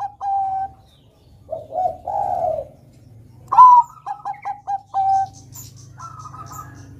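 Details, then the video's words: Bangkok-type zebra dove in full song, used to coax young doves into singing: soft low coos, then a loud rising opening note followed by a quick run of short clipped coos and a drawn-out ending note. "PERKUTUT BANGKOK GACOR kutut Bangkok Gacor Manggung NEGEL ini PINTAR mancing bunyi Kutut Bakalan"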